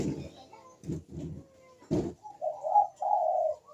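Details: Barbary dove (puter) 'kuk deruk' cooing used to prompt reluctant birds. Sharp clattering knocks come first, then two smooth, level coos close the stretch.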